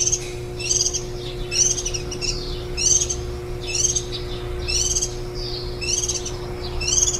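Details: Warbling white-eyes feeding nestlings, recorded on site on 23 July 2018 after ten days of brooding, the day before the young left the nest; steady run of harsh, high, stacked chirps, about one per second, over a low hum.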